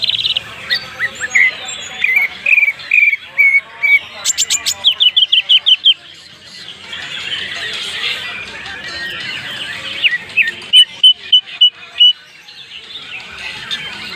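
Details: Greater green leafbird from Banyuwangi, Indonesia, singing its rich 'isian' song: strings of repeated whistled notes, a fast sequence of buzzy trills, a dense warbled middle, then another steady run of clear repeated whistles.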